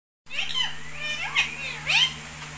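An Indian ringneck parakeet talks in a run of speech-like, rising and falling syllables, with two sharper emphasized words near the end, over a steady low hum.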